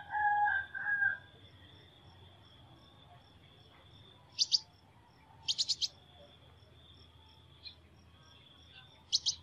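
Sunbird giving short bursts of thin, high, sharp notes, one quick triplet, spaced a few seconds apart; a lower, louder two-note call opens, over a steady high insect-like whine.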